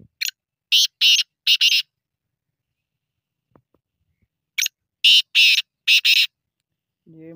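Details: Black francolin calling twice, each time a scratchy, rhythmic phrase of five or six grating notes, the phrases separated by about three seconds of silence; a brief low noise near the end.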